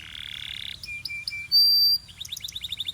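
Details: Belgian canary in warming-up song: a short buzzy rattle, soft low whistled notes, a loud pure held whistle of about half a second, then quick repeated chirps.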